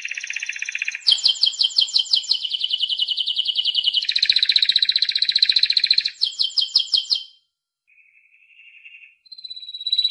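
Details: Singing Timbrado canary with long rapid rolling trills and stepped pitch changes, clipped pulsed notes, a short pause, then a quiet low trill and a high whistled phrase.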